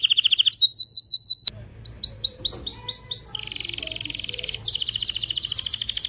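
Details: Excited canary singing meant to prepare male and female canaries for breeding: sharp repeated chirps, a brief pause, then a series of swept notes leading into fast buzzy trills.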